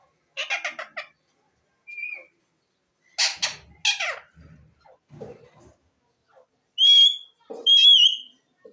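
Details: Pet ring-necked parakeet talking. Choppy syllable-like bursts form mimicked speech, with a short squeak and some low muttering between them, then two sharp rising whistles near the end.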